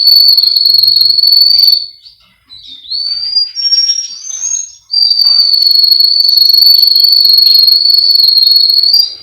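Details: Male Russian canary kept by a breeder in Miami, Florida, singing long, steady, high whistled rolls, broken by a short gap of softer warbled notes before the sustained trill resumes.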